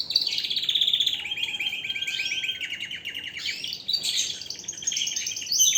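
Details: Forceful canary song with fast high trills, a long rolling warble held at steady pitch, then brighter sweeping notes near the end.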